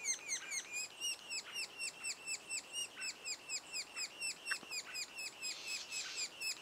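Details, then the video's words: At a sapsucker nest two days before the first young fledge, nestlings call continuously in short, high, downslurred chirps repeated about twice per second, steady and insistent, with a few louder overlapping notes near the end. "Sapsucker nest"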